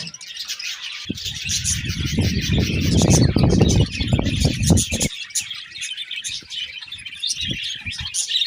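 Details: Budgerigars chirp and warble steadily in high, rapid twitters while a loud low rumbling noise covers the middle few seconds, then the chatter carries on alone.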